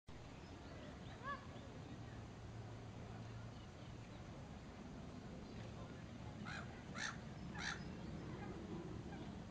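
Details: Gulls perched on posts at Frensham Little Pond; a faint call early on, then three short, harsh, ringing calls near the end, spaced under a second apart, over a constant low rumble.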